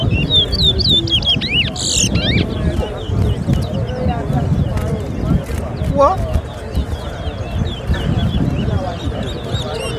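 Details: Towa towa singing at a birthday-bash whistling contest in Georgetown, Guyana: bursts of sharp, quick, high whistled notes rising and falling, heard over a noisy crowd, voices counting and snatches of music.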